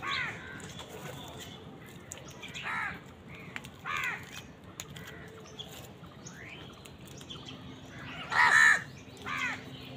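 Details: In a fight with wild birds over food, crows give harsh, raspy caws at irregular intervals. The loudest comes near the end, over a low steady background noise.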